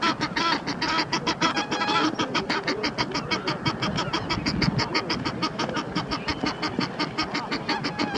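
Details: Two male Egyptian geese fight on the Round Pond as one's mate shouts encouragement, a long run of loud, raspy honks in quick regular succession, a few rougher cackling notes early on, with water noise beneath.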